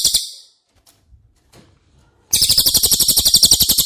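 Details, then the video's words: Cililin song, intended for training caged White-rumped shamas: a short burst of high trill, a gap with soft clicks, then the rapid, piercing trill resuming. "Masteran CILILIN Materi Wajib untuk Burung Murai Batu anda!!"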